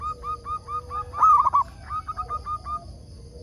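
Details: Zebra dove of a local strain, sung as a lure for wild doves; a steady row of soft coos, a loud stuttered burst, then more evenly spaced notes, another dove faintly cooing lower.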